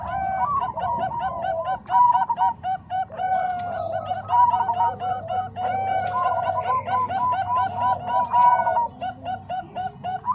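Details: Combined songs of Bangkok and Cemani Kolbuntet zebra doves, made to train other doves: fast chains of clipped, hooting coos from overlapping birds, some phrases sliding higher, with a faint low drone beneath.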